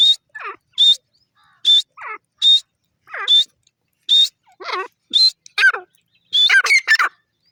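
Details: Grey francolin in a rhythmic, repeated calling run: a high shrill whistled note alternating with a lower harsh falling note, the pairs repeating roughly every 0.8 seconds and quickening into a dense excited ending.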